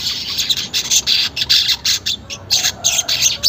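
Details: Weaver song for getting caged birds to sing: rapid pulses of harsh, hissing, very high chatter, about three per second, separated by tiny gaps.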